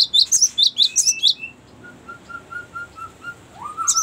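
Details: Cinereous tit, recorded as a long rolling lure and training song: a quick burst of high, ringing chirps, then a line of soft, evenly spaced lower whistles and a final rising note, over a noisy background.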